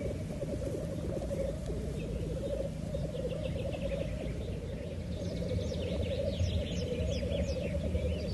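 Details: Black grouse giving a continuous low bubbling, cooing drone that pulses steadily throughout, with higher chirps and whistles from other birds scattered above it in the second half.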